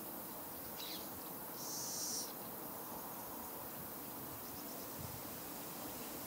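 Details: Fledgling little owl gives one clear wheezing hiss lasting over half a second, preceded by a fainter short rasp, against a quiet humming background.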